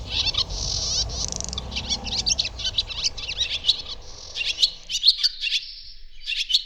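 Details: Barn Swallow in song: a quick, varied twitter of high clicks and squeaks with a short buzzing roll early on, ending in scattered sharp notes.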